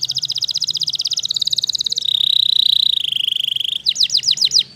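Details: Waterslager canary singing: a fast rapid trill of clicking high notes, then a smooth continuous rolling tour at a steady pitch, ending in a few quick downward-sweeping whistled notes; faint low hum in the background.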